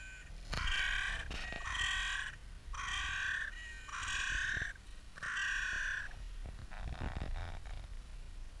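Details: Crow in Clara Park in spring, recorded in mild slow motion, giving five harsh, drawn-out, rasping, slightly nasal caws about a second apart, with a fainter caw trailing off at the end.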